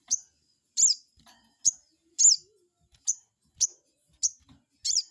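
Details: Crested jay calling as a lure to bait a rival into answering: a steady series of sharp, high, downslurred notes, some doubled, repeated about every half second to a second.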